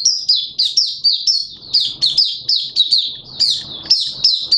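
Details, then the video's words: Malaysian Oriental white-eye singing its 'buka' opening song, 21 June 2023: steady, unbroken chain of high, slurred downward chirps repeated in quick succession throughout. "Malaysian Mata Puteh Buka Sing"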